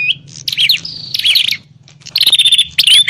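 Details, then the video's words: Noisy fighting bar-winged prinias used to draw in wild prinias: excited chattering and sweeping whistles, a pause, then a sustained high whistled trill ending in a rising note. "Suara burung prenjak pikat - prenjak tarung ribut ampuh memanggil prenjak liar"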